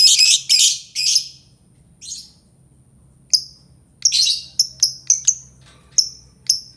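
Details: Albino lovebird making loud harsh chattering bursts, then a quick series of sharp, high-pitched single chirps at uneven intervals.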